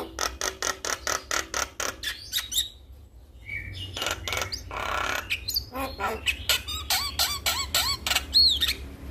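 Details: Male Javan myna calling to other mynas, which respond: harsh broadband clicks and squawks in quick series, then rising and falling whistled notes and a high slurred whistle near the end.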